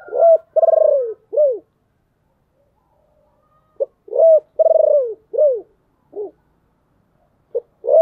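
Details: Spotted dove used as a decoy bird, calling to lure wild doves; deep, hoarse cooing notes around 500–700, delivered in clusters of three to four coos separated by pauses of one to two seconds.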